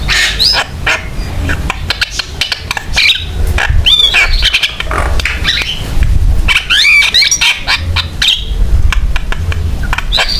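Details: Javan myna song meant as a lure and tutor for other mynas: rapid harsh clicks and rattles with looping high whistled sweeps, loud and busy throughout.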